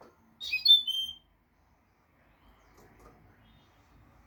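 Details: Goldfinch song phrase used to tutor young birds: one quick jingling twitter ending in a pure whistled note, followed by quiet room murmur and a faint new phrase starting at the end.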